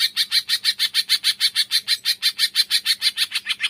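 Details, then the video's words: Cucak ijo (Green leafbird) in 'tembakan' style, aimed at making silent birds sing: evenly spaced, harsh chattering notes repeated about three times per second, very regular across the whole stretch. "tembakan cucak ijo males bunyi setelah dengar in"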